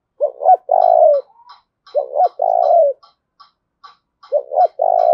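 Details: Decoy spotted dove cooing to urge rivals to fight: three low phrases, each a stuttered double coo then a long falling coo, about every two seconds, over faint ticking.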